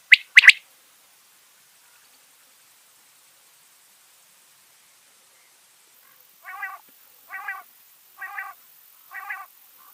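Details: Big quail calling at night at home: a sharp doubled note, several seconds of quiet, then four nasal harmonic notes spaced about a second apart.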